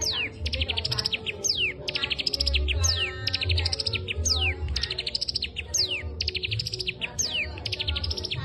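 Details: Cigun delivering a kapas tembak-style training song, mixing rapid high chip series with sharp descending whistled slurs in busy, continuous phrases, with a constant low background hum.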